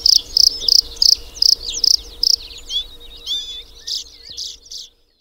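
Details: Singing Bluethroat opens with a run of loud, buzzy, evenly spaced pulses about three per second, then shifts into softer varied whistles and twitters before fading to silence.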